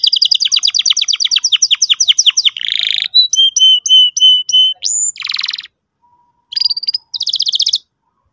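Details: Canary song meant as a lure so a young canary learns to sing: a rapid run of descending chirps, a buzzy roll, repeated level whistled notes, a dense buzz, and two short trills after a brief pause.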